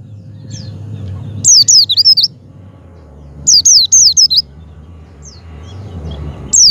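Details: Javan white-eye sound for prompting a pet white-eye to open its beak: clusters of four or five high, rapid zigzag whistles, repeated after pauses, over quiet low background noise.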